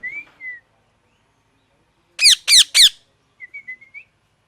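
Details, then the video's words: Loud parrot calls: three harsh, ringing squawks in quick succession, framed by softer, level whistled notes before and after, in an otherwise quiet setting. "Loud parrot sound"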